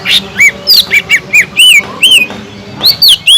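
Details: Sumatran leafbird, gacor bird, sings to fire up other leafbirds: loud arched whistles and downslurred notes in a fast, uneven sequence with high thin overtones.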